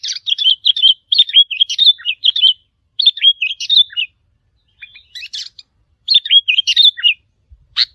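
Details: Sooty-headed bulbul, a wild bird, giving challenging calls aimed at territory holders. Rapid chains of bright, liquid, falling notes come in four dense phrases separated by short silences.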